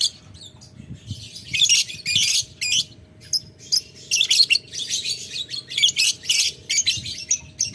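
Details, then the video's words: Lovebird answering a rival with long ngetik ngekek chatter: dense, raspy, high bursts of about half a second each, repeated steadily with short gaps throughout. "Lovebird Memanggil Lawan Ngetik Ngekek"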